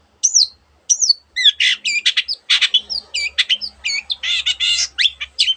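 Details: Cendet, the long-tailed shrike, delivering a busy mimicking song: clear downslurred whistles at the start, then a fast chatter of harsh rasps, twangy notes and slurred whistles crowding together without a break.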